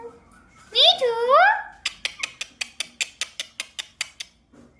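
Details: A pet ringneck (rose-ringed parakeet), a talking parrot, gives a wavering, rising-and-falling whistle, then a quick run of about a dozen sharp chirps, roughly five per second.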